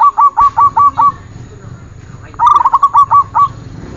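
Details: Zebra dove song from a training recording for captive birds: two bursts of rapid, evenly spaced cooing notes, each phrase of about six notes, separated by a quiet gap with faint background hum.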